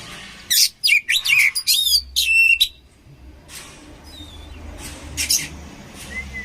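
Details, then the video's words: Oriental magpie-robin (kacer) song for training birds: a quick run of loud scratchy and whistled notes, then a quieter stretch with distant faint phrases and soft whistles. "SUARA KACER KOMBINASI AMPUH UNTUK MELATIH MENTAL KACER"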